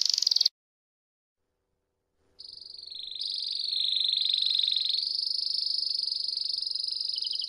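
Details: Belgian canary (Belgian Waterslager type) giving a bell-like song, a long, rapid, ringing trill that holds a high pitch, dips slightly mid-phrase and then rolls on steadily, after a brief opening burst and pause.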